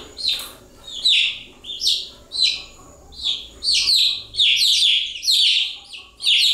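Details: Many young chickens peep continuously, each note a sharp, high chirp dropping in pitch. Bursts come more than once a second and grow denser and more overlapping toward the end.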